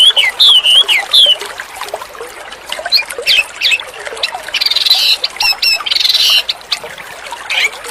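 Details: White-rumped shama in full, vigorous song: loud whistled phrases that slide up and down, then harsh buzzy bursts and quick repeated notes, all high-pitched over a soft trickling background.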